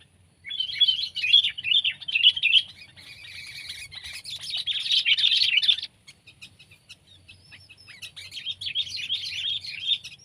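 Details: Sooty-headed bulbul, pet or wild: a long stretch of rapid, rising and falling chirping chatter, then a pause, then fainter twittering that builds again.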